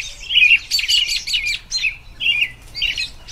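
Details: American robin in spring singing rapid, tumbling warbled phrases, loud and close, with pauses between groups of notes.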